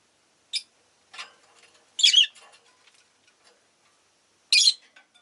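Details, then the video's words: Pet rosy-faced lovebirds calling fairly often that day give scattered high chirps of mixed loudness. Some are single shrill notes and others are softer twitters, with short gaps between them. "Lovebird Chirping Sounds"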